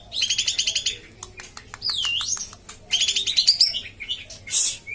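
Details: Common iora (kapas tembak) song used to coax a silent kept bird: two fast rattling trill bursts separated by a swooping whistled note and sharp ticks.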